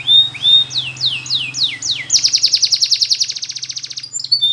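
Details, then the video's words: Spanish Timbrado canary singing a training song: a few whistled notes, then a series of falling slurred whistles, then a fast buzzy trill of rapid repeated notes, with a low hum underneath. "The Best Canary Sound !! Training Canaries To Diligent In Singing"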